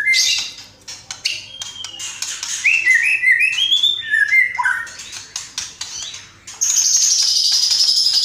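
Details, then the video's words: A white-rumped shama (murai batu) delivers a varied isian song. Scratchy high notes give way to a run of slurred whistles that step up and down, then end in a long, loud, high buzzy trill. "MURAI GACOR BONGKAR ISIAN !!! MURAI BATU ISIAN MEWAH FULL TEMBAKAN"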